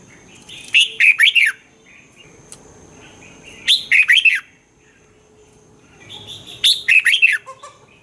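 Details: Red-whiskered bulbul from Thailand singing, a recording for rousing caged birds: three loud, quick phrases of warbled, down-slurred whistles, spaced about three seconds apart, with faint soft notes between.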